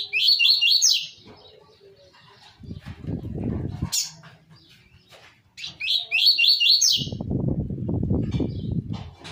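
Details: Seedeater song in the 'tui tui zel zel' style, used to tutor young papa-capim and coleiro birds: two bright phrases of five quick repeated slurred notes, each about a second long, separated by bursts of low rumbling noise.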